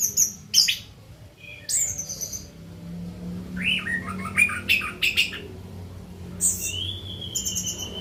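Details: Orange-headed thrush kept in a cage, in song after bathing at night. Thin high squeaks, sweeping whistles and chattering bursts come in uneven spurts, ending on a long level whistle over a low background hum.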